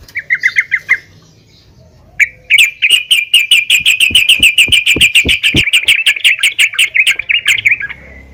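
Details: Female yellow-vented bulbul calling other bulbuls: a quick cluster of chirps, a one-second pause, then a long, rapid, steady string of bright repeated notes rattling on for about six seconds before fading.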